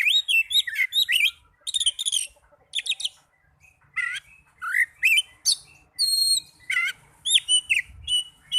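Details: Oriental magpie-robin song used as a lure recording to spur lazy caged birds into singing: rapid, varied whistled and chattering phrases, with some notes sweeping up or down, separated by short pauses in a quiet setting.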